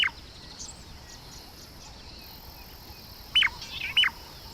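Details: A shrike pair in southern Africa gives its morning duet of sharp, hooked whistles, the male calling first and the female a split second later so they merge into one call, repeated three times over steady insect hiss.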